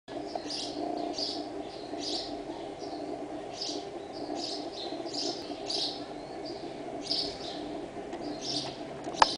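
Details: Two conga chicks begging their mother for food. Their high, thin peeps come in short bursts, repeated roughly every half second to second, over a constant low background hum.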